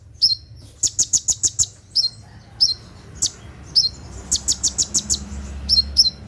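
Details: A sunbird (kolibri ninja) heard at night gives very high, thin, sharp chips and ticks in rapid bursts of five or six notes with brief pauses between.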